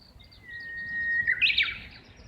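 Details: Japanese bush warbler singing from near a house, recorded from a second floor, apparently calling back and forth with a companion or mate nearby: a long steady whistle held about a second, then a loud quick warbled flourish, over faint low background rumble.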